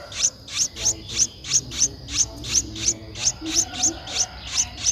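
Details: Nestling Streak-eared Bulbul aged 11 days, Ubon Ratchathani, Thailand, 13 April 2023, repeating about fourteen brief shrill peeps at a quick, fairly even pace, with a steady high whine behind.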